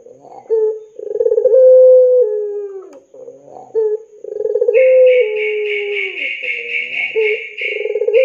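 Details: Puter pelung dove cooing to lure young doves into song: repeated long coos with rolling starts and level drawn-out tones. A higher, buzzy, pulsed sound runs through the second half.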